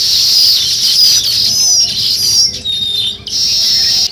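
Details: Village sparrows calling in the morning, a loud, steady chatter of sharp high chirps and brief whistled slurs from several birds, briefly dropping quieter near the three-second mark before resuming.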